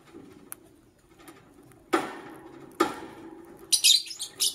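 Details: Lovebird in the morning: two sharp knock-like clicks, followed by a quick series of thin, shrill, high chirps toward the end.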